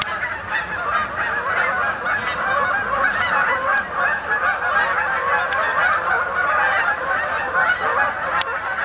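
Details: Many Canada geese flying in at dusk to roost on the main pond at Sapsucker Woods, Ithaca, New York, late October 2017; a dense, continuous chorus of overlapping nasal honks with scattered sharper calls.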